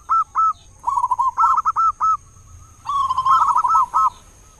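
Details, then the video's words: Loud local zebra dove singing to lure other doves into song, morning and evening; short clipped cooing notes in quick groups, then a rolling, rising-and-falling phrase of bubbly coos. "perkutut lokal gacor suara besar buat pancingan diPAGI dan sore"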